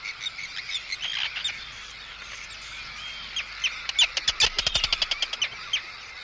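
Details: Arctic tern calls around an intruder, with harsh screeches at first giving way to a fast series of short, clipped, ticking notes repeated several times a second.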